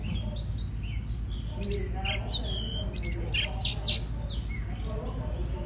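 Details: Oriental magpie-robin song used to stimulate other birds to sing, soft whistled notes at first, then loud harsh rasping bursts in the middle section, with faint background voices and a low hum.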